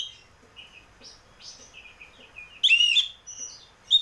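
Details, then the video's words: Oriental magpie-robin song meant to make a cage bird start singing: soft scattered whistles at first, then a loud burst of warbled notes near the end followed by another sharp note. "pancingan burung kacer ngeplong biar cepat mau bunyi dan gacor"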